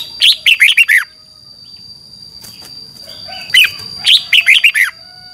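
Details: Caged Red-whiskered bulbul from Thailand, a training recording of the 'phleng boen' song style used in contest practice. It gives two bursts of four to five rich, bubbly, rapidly warbled notes, separated by a quiet gap with a faint steady background tone.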